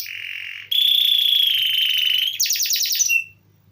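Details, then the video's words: Canary singing continuously, used to tutor songbirds: a low rolling trill jumps to a loud bright sustained trill, then a short burst of rapid high stuttered notes before the song stops. "Kenari Gacor Ngeroll || Cocok Untuk Masteran Burung"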